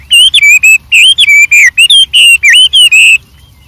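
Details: White-rumped shama in full song in the wild: a rapid, bright string of whistled notes with upward and downward twists, about ten in three seconds, then quiet.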